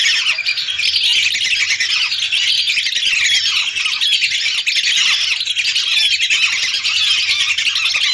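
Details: A flock of hundreds of lesser whistling ducks, recorded as a lure. Crowded, high-pitched squeaking and whistling runs without a break, with many birds calling at once.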